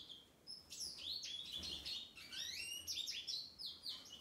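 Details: A male American goldfinch sings a bright, rambling run of high twitters and sweet warbled notes, quick and varied, over faint hum, on the day of his release after 21 days of medication for a Mycoplasma infection.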